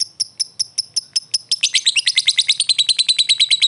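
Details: Lovebird fighter in ngetik ngekek style, a lure to provoke a reply: evenly spaced sharp high ticks that quicken after a second and a half into a dense, buzzy, continuous chattering trill.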